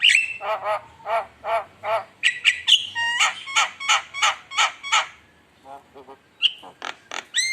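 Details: Javan myna (jalak kebo) in lively lure song: measured nasal rasping notes, then a fast series of loud harsh bursts with bright whistles, softer rasps, and sharp squeaks near the end.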